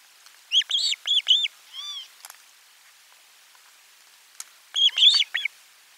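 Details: Osprey calling at the nest on 12 July 2022 as fish is brought for lunch, recorded by live stream camera: a loud run of four piercing, arched whistles, a softer wavering note, a pause, then another rapid burst.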